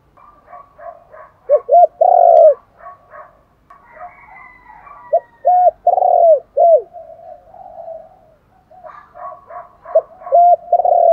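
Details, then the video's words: Spotted dove cooing as a luring call, a full-set style: three bursts of loud phrases, each a pair of quick hooked notes and a long broad hoot, separated by softer murmuring and a faint higher sound. "cu gáy thúc gù gáy gọi/ tiếng chim cu gáy đủ bài"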